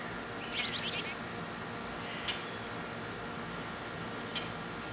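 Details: At a nest box where chickadees are feeding young nearly ready to fledge, a chickadee gives a quick run of about six thin, high chips in under a second, then two faint single ticks against a quiet background hiss.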